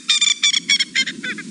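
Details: A male Coqui Francolin calls territorially on an afternoon drive in Sabi Sand near Kruger, South Africa, 27 September 2017: six nasal, buzzy notes in quick pairs, fading, over a low rumble, while others respond in the distance.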